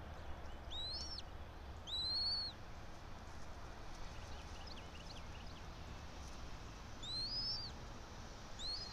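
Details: Bald eagle at a nest atop a pine tree about 90 feet up in Johnson City, Tennessee, early morning 06:28 on 04.03.2024; sparse high arched squeaky notes in two clusters over steady low rumble.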